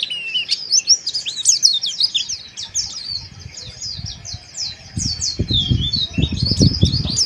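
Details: Harsh chirping of a Mountain white-eye, meant to raise breeding arousal: rapid high twitters and slurred chirps throughout, with low knocking or handling noises growing in the second half.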